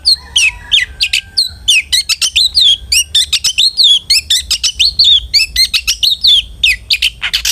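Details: Long-tailed shrike song used to coax a kept bird into singing: dense rapid sequence of short whistled and scratchy notes, many bending downward, forming a lively continuous chatter over low hum.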